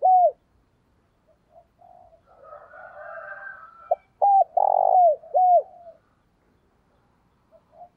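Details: A spotted dove gives urging and calling coos in short bursts: low, hollow notes that each arch up and drop quickly.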